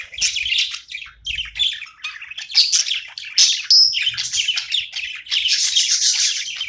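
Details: Pet budgerigar chirping during playtime: a busy, continuous stream of scratchy warbles, clicks and squeaky notes, with a few sharper squawks and little pause between phrases.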